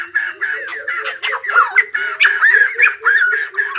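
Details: White-crested laughingthrush, described as singing and dancing like a ballet dancer, giving a loud, jumbled cackle of raspy, swooping notes that tumble over one another without pause.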